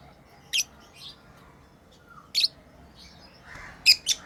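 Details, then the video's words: Playing pet lovebirds chirping: a few sharp high chirps, one early, one midway, then a quick pair near the end, with soft faint squeaks between. "Lovebirds playing & Chirping sounds"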